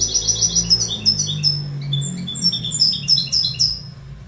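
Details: Goldfinch song: rapid, liquid twittering of short high notes and brief trills, jumping between pitches and tumbling on for over four seconds, over a low steady hum.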